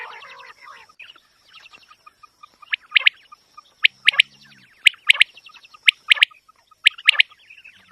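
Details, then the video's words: Quail call repeated steadily, each phrase three sharp high notes close together, roughly one phrase per second, after a quieter start with distant chirps and a constant thin whine; recording meant for quail hunting. "QUAIL SOUND very original sound"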